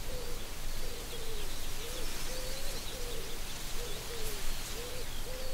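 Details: Common Cranes visiting Gallows Bridge Farm on the Upper Ray Meadows reserve, Buckinghamshire, UK, in May 2018, recorded on an iPhone 7 through a spotting scope: a steady series of short, mid-pitched honking notes, about two per second, over high twittering songbirds.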